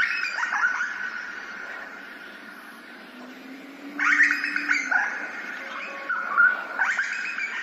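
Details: Grey butcherbird in Australia, captured with an ambisonic surround recorder: clear fluted whistles with sharp rising and falling slides, a soft phrase early on, then louder bursts near four and six and a half seconds over steady background hiss.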